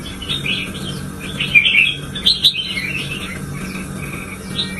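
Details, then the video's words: Excited red-whiskered bulbul pushed to sing intensely, giving short scattered warbling phrases with a few sharp bright notes in the middle, against a constant low background hum. "Kích chào mào căng lửa"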